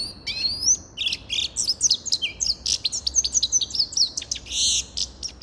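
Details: Grey-crowned goldfinch singing a fast, tinkling run of high twittering notes, trills and buzzy phrases, almost continuous for five seconds with no other sounds.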